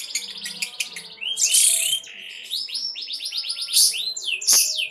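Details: Lovebird in konslet, singing continuously: rapid high chirping, a loud rasping burst, then a smooth series of arched, repeated chirps and more loud harsh notes near the end.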